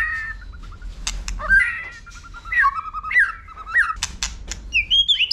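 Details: White-rumped shama in competitive fighting song, with sharp clicking notes and tail flicking: clear whistled phrases near mid pitch, with short upslurs and level notes, broken by sharp dry clicks.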